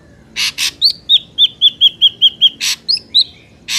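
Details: Wild Ashy drongo song played as a trapping lure: a quick run of about eight clear downslurred whistled notes, framed by harsh rasping bursts and a few higher slurred whistles.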